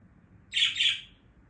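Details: A female budgerigar, excited by wild birds singing outside in the morning, gives one brief, scratchy burst of two harsh, high chirps lasting about half a second, with quiet before and after.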